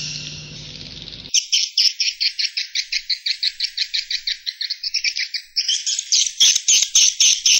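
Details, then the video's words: Swiftlet roosting call used as a lure: a rapid train of chirping, buzzy clicks, about four a second, repeated steadily after a low hum at the start. "Suara Inap Walet Terbaik"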